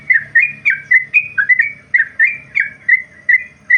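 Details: Yellow-vented bulbul (trucukan) in a long ropel song for tutoring birds: clear whistled, slightly slurred notes at mid-high pitch, about three per second, evenly repeated over a faint low hum.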